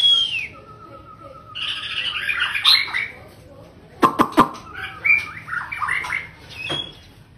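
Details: Male white-rumped shama with a long tail, a father bird, in varied song: sliding whistles and rich warbled phrases, broken by a burst of sharp clicking notes midway, then further fluty and twittering passages.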